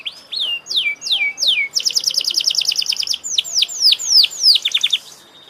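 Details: Canary song opening with four evenly spaced falling whistles, then a fast buzzy trill, followed by more swept whistles and a closing cascade of quick descending notes.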